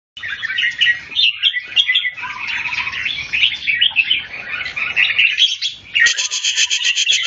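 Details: Red-whiskered bulbul singing while competing against another bird: dense, fast jumbles of bright warbled and chattering phrases, with a buzzy, rattling burst near the end.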